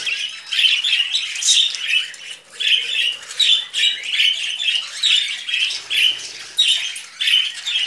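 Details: A pair of pet budgerigar brothers on a hand gives rhythmic, scratchy chirping squawks, roughly two or three per second, in a steady repeating chatter indoors.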